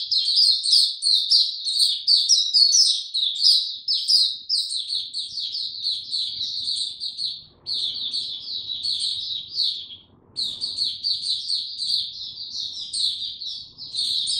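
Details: Captive white-eye singing an extended, busy phrase of thin, high chirps in quick succession, about one and a half notes per second in clusters, with two short breaks before the bird resumes its rapid twittering.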